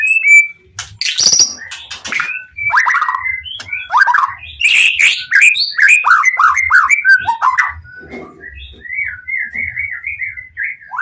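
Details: White-rumped shama, the Pastol PTRK BF bird, in full emotional song meant to make other shamas answer: sharp high chips and harsh bursts, then a long run of varied slurred whistles ending in repeated soft wavering notes, with faint low knocks.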